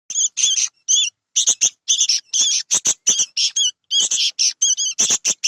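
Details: Sooty-headed bulbul chicks calling: dense runs of short, harsh, squeaky notes with wavering overtones, delivered in rapid bursts and clusters with brief pauses between them, high-pitched throughout.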